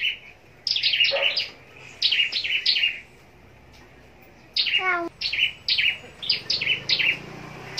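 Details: Scarlet-backed flowerpecker raised in a cage for contest singing, Long Thành, southern Vietnam, giving clusters of bright high chips separated by pauses, plus one fast falling stutter of clicks midway.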